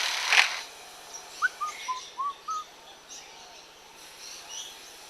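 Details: A captive male Superb Lyrebird at Adelaide Zoo mimics nearby construction work: one sharp noisy crack, then five short whistled notes in quick succession, ending with a few faint high chirps.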